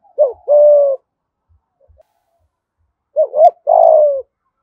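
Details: Spotted dove from Dong Nai, Vietnam, "thổ" voice style; two phrases about three seconds apart, each a short rising note then a long steady coo.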